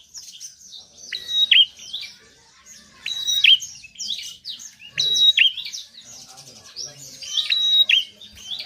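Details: Bar-winged prinia singing steadily, a recording used to get reluctant birds to sing: chirpy twittering phrases roughly every two seconds, each ending in a piercing whistled note, with softer chatter between them.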